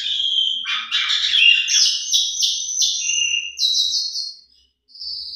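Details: Lively Asian pied starling song with a rich fill-in repertoire, intended to stimulate other starlings to sing: a dense, warbling chatter of overlapping buzzy notes, ending in sustained high, trilled phrases separated by a short pause.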